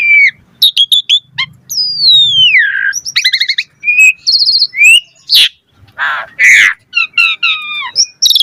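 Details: Long, varied song of an Asian pied starling filled with isian phrases, played to make starlings respond and sing: slow falling whistle, trilled rattles, harsh wheezy bursts and bright chirps in quick alternation.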